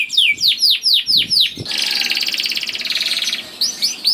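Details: Energetic canary song used as a lure to get reluctant canaries singing: a run of falling whistled notes about four per second, then a fast buzzing trill, with faint low thumps beneath.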